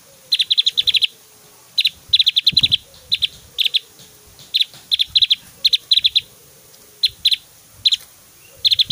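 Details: Javan grey-throated white-eye delivering very loud, varied whistled 'tembakan' bursts meant for tutoring other white-eyes; quick clusters of high, clipped notes repeat every second or so, with a faint low thump partway through.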